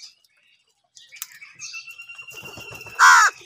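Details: Crow among birds fighting over food, giving one loud, harsh, ringing caw near the end, after a stretch of quieter scratchy sounds and a faint, steady whistle-like tone.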